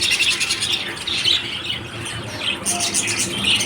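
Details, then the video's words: Lovebirds chattering in a dense run of piercing, squeaky chirps and rasping squawks, with a noisy low background throughout. "love birds"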